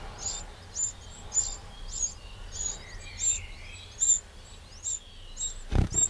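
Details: Eurasian wren calling in a French garden in Burgundy's Châtillonnais, late May 2023, giving short high clicking notes at uneven intervals, with a faint lower twittering and a brief thump near the end.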